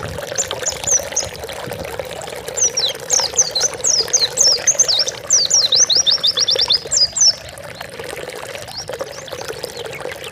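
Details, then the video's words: Training recording of an Oriental white-eye for pet birds. Scattered high chips build to a fast run of sharp descending notes midway, then fade, over a constant humming background. "Masteran burung pleci gacor bukpar"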